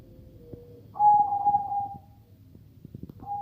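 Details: Zebra dove of the katuranggan majapahit type, said to have a voice unlike ordinary zebra doves, gives a short soft note then a sustained mid-pitched cooing phrase, with another coo starting at the end; low background hum.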